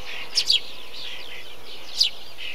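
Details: Eurasian tree sparrow (Passer montanus) in a bee-eater colony gives three sharp, high chirps: two close together, then one after a pause. Softer chirping from other birds runs underneath.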